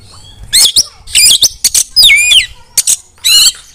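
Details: Short harsh, buzzy bursts from a female Oriental magpie-robin alternate with a slurred whistled phrase that drops and rises, a call meant to get other magpie-robins singing loudly.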